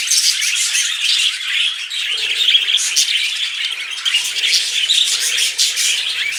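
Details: Pet male budgerigars flirting: steady, busy chatter of high warbling chirps and clicks, several voices overlapping, bursts of louder squeaky notes around the middle and end.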